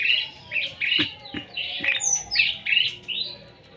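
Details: Starling (jalak) singing by a house, a varied run of harsh, squawky high notes mixed with slurred whistles and a few clicks.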